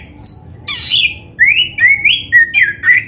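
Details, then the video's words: Energetic song of a black-breasted oriental magpie-robin, played to coax caged birds into singing. A rapid run of rich rising whistles, buzzy rasps and clear upslurred notes packed closely together fills the clip. "SUARA BURUNG KACER MASTERAN GACOR"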